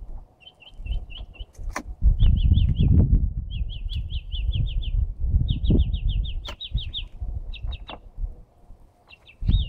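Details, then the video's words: Unidentified bird heard early Saturday morning, possibly one bird or more, sings quick runs of five to seven high, thin chirps with brief pauses between runs, over steady low rumbling and a few sharp knocks. "Bird Sounds"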